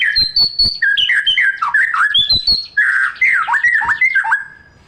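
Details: Song of a white-rumped shama, full of mimicked phrases, played to provoke reluctant shamas into singing: high whistles, sharp ticks, then lower rich warbled and slurred notes, fading at the end.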